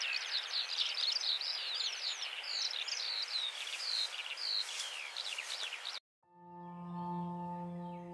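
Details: Eurasian skylark singing its trilling song, which marks its territory: a rapid, unbroken stream of high chirps, twitters and slurred whistles for about six seconds, then cut off abruptly by steady sustained musical tones.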